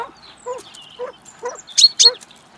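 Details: Wild common pheasants courting and mating in the mating season at a garden bird feeder in Recke, Germany, on 24 March 2021. Five short, throaty harmonic clucks come at roughly half-second intervals. Small birds chirp high above them.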